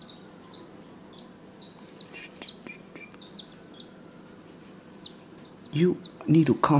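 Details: Cockatiel parents and newborn chicks in their first week, with peeping heard from the nest box: thin, high chirps repeat quickly, about two per second, soft and steady, until a person speaks at the end.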